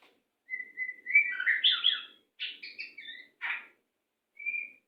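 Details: White-rumped shama song used for training captive birds: a varied run of clear whistles and rich slurred phrases with some harsher buzzy notes, delivered in short bursts separated by brief gaps.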